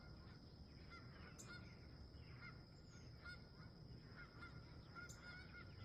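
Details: Wild geese at sunrise while camping, scattered honks from a flock repeating about every second or so over a steady low rumble of background noise.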